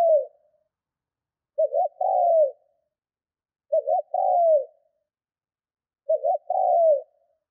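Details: Caged decoy spotted dove being trained as a lure, cooing well to provoke wild doves: three low phrases about two seconds apart, each two short clipped notes then a long smooth falling coo, with silence between.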